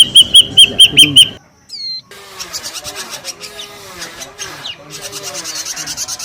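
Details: Noisy ashy drongo lure call: a quick run of six loud, clear whistled notes, then a dense jumble of fainter chattering and buzzy notes from several birds.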